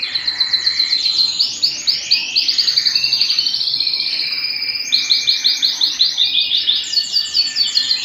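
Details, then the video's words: Song of a canary at home: rapid repeated high chirping phrases, each trill made of quick descending notes, switching to new trill types every couple of seconds, loud and clear. "canary singing at home"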